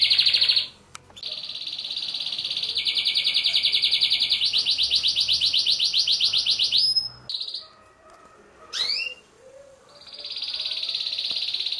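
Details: Male canary song used to prepare females for mating: long unbroken high trills changing pace and pitch between sections, rapid rolling tours lasting several seconds, a brief gap with rising whistled notes, then another steady trill.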